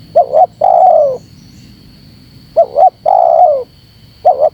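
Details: Spotted dove calling to provoke wild doves: two quick rising-falling notes, then a long, mellow coo that slides downward. The phrase repeats twice, with a third beginning at the end, over a faint steady high whine.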